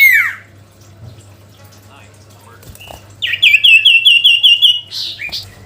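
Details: Sooty-headed bulbul singing to call a rival: after a brief chirp and a quiet stretch, a quick run of about eight bright, rising, ringing notes repeated evenly, ending with a short squeaky note, over a steady low hum.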